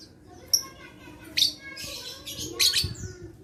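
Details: Lovebird sounds meant to coax silent lovebirds to sing: brief high whistled notes and three rasping, buzzy screech bursts spread across a few seconds, with low background rumble.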